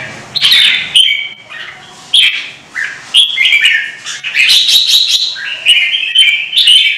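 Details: Caged red-whiskered bulbul singing competitively, a string of short bright whistled and chattered phrases, rising and falling, becoming denser and more continuous in the second half.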